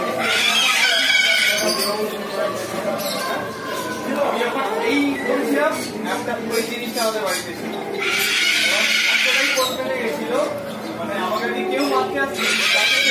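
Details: A male and female eclectus parrot pair give harsh, grating squawks in three bursts, at the start, middle and end, with chattering and clicking between them.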